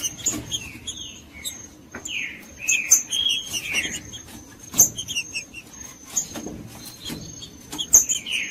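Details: Judas-style song of a green-winged saltator, meant to warm up a cold bird: rich whistled phrases with swooping, downslurred notes repeated through the passage, plus sharp clicks and a thin steady high tone throughout.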